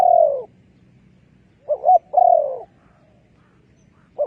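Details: Spotted dove call used as a decoy to lure wild doves into a trap. A long falling coo is followed after a gap by a phrase of two short coos and a drawn-out descending coo, then another note begins.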